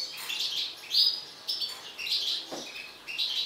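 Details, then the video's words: Mutant European goldfinch in an agitated state, singing a run of quick, liquid twitters and clipped chirps in short phrases, with a faint low knock midway. "حسون طفرة هائج"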